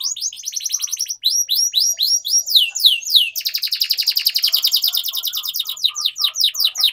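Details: Atlantic canary (kenari) in long, energetic 'gacor' song, used as a lure for young canaries learning to sing: rapid series of downslurred chirps, then a dense fast trill from mid-clip, with steady rhythmic pulses throughout.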